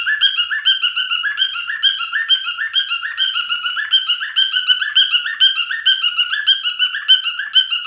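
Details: Male cockatiel parrot singing: a steady, looping warble of bright whistled notes that rise and fall, each phrase repeated roughly twice a second with a nasal, buzzy edge, with no other sounds.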